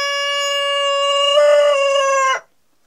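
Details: Denizli rooster crowing around hens mating: one long, steady, strongly harmonic crow held for over two seconds, growing slightly rougher near the end, then cutting off abruptly into silence.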